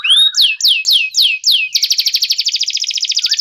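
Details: Canary song used to train white-rumped shamas: five loud downward-sweeping whistles repeated about every quarter second, then a quick rolling high trill continuing to the end.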